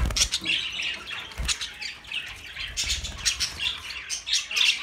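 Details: Budgerigars chattering together in a dense, continuous flock chorus of high, scratchy chirps and short squawks, with brief bursts overlapping throughout and faint low rumbles beneath.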